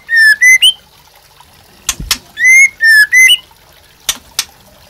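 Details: Captive-bird training song of the White-rumped shama: rich whistled phrases, each a few short rising notes, repeated twice and broken by sharp clicking sounds, against a faint hiss.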